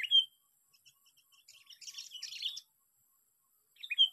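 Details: Sooty-headed bulbul lure bird, sixth fighting day: a sharp whistled note, a spell of busy, scratchy chatter, then another sharp whistled note after a pause.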